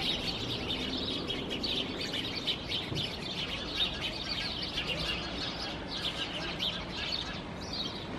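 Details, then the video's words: Several house sparrows hidden in climbing plants, Helsinki, Finland, September 2021, keep up a busy chorus of sharp, repeated chirps and twitters with no pause, over a soft low hum of the surroundings. "Sounds of House Sparrows among the climbing plants"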